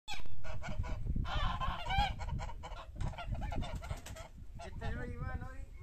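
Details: Domestic geese kept by their owner, calling together in a loud, harsh chorus of honks and nasal cackles repeated over several seconds, with a burst of rising, wavering honks near the end and low background rumble throughout.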